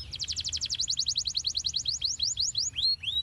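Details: Canary song used to stimulate young canaries to sing: rapid rolling trill of sharp repeated descending notes, slowing into spaced downward sweeps and a final rising whistle.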